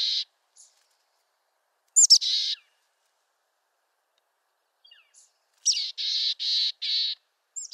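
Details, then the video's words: Mountain chickadee, a small songbird of western North America, giving broken chick-a-dee calls: high thin notes followed by harsh buzzy dee notes, with one two-note phrase and later a run of four rasping dees. Quiet gaps between. "Mountain Chickadee Bird Song"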